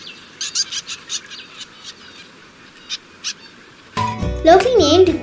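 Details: Black-throated Munia (Jerdon's mannikin), a forest-edge and hill bird of Sri Lanka and south India, gives short, high, thin chirps in loose bursts over a soft background hum, then music and a voice take over near the end.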